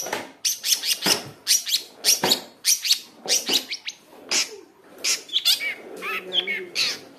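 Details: Long-tailed shrike song, used as a lure to stir caged shrikes into singing and to train young birds to build a full song: harsh, rapid chattering bursts about twice a second, with scratchy high notes and brief whistled phrases toward the end.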